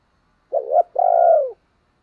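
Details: Spotted dove used as a decoy bird to provoke other doves into cooing gives a single low, mellow coo: a short wavering note, a brief gap, then a longer drawn-out note that falls at the end, in silence.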